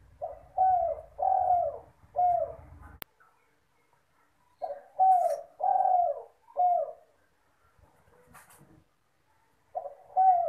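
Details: Spotted dove from the village, singing actively, used for luring. Three repeated cooing phrases of several soft, falling notes, separated by silent gaps of a few seconds, with a sharp click and faint rustles between.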